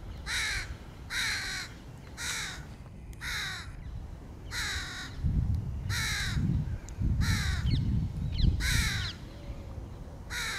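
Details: A crow feeding its 2022 young gives harsh, nasal caws, about eight in ten seconds at an uneven pace, over a low rumble of wind.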